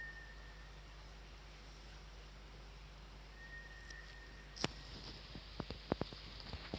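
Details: Pre-dawn White's thrush on 29 March at 5 am, cold, calling more often than usual: two faint, flat, long whistles a few seconds apart, followed by a sharp knock and scattered rustling clicks.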